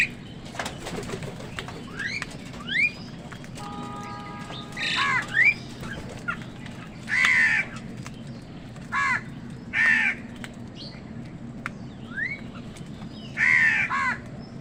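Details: Crows tussle with wild birds over food, giving repeated harsh caws every couple of seconds. Other birds add upward-sweeping chirps and squeaks, with a low rumbling background throughout.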